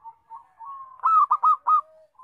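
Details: Loud local zebra dove, kept for luring birds into traps, gives soft drawn-out coos, then a loud phrase of four rolling, mellow notes.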